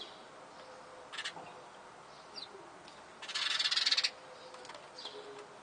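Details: Young sparrows in a family feeding on a terrace, siblings competing vigorously for food: scattered short chirps, then a loud, rapid, buzzy pulsed burst of begging lasting about a second, over a faint steady background hiss.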